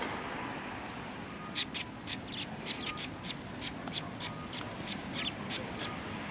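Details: After a quiet start, a sparrow at a Tenmangu shrine gives a steady series of short high chirps, about four per second, over faint background noise.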